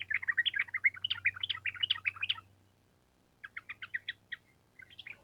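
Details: Sooty-headed bulbul giving a rapid ropel run in gacor style: a fast stream of bubbly whistled notes for over two seconds, a brief silence, then a sparser series of separate chirps, with a low steady hum behind.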